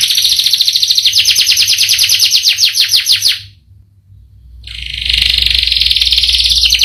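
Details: Canary singing a long rolling song: a fast, even high trill runs for more than three seconds, stops briefly, then resumes as a steady buzzy roll.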